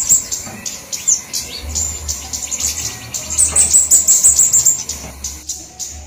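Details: Flowerpecker lure recording, drawn from a range of flowerpecker types: scattered high, thin notes at first, then a brisk burst of sharp, evenly spaced ticks midway before the calls thin out.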